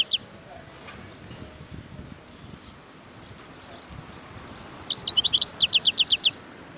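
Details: Wild European goldfinch singing: after several seconds of faint background hiss, a quick burst of high, repeated twittering notes comes near the end, about a dozen sharp chips in rapid sequence.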